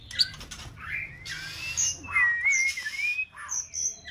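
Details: Six-month-old female white-rumped shama in song practice: a long, smooth, gently wavering whistle running through soft scratchy chirps and a few high squeaks, fairly quiet.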